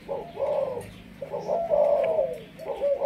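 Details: Malaysian spotted dove, a decoy bird, giving continuous mellow, low, level coos in long drawn notes separated by short gaps.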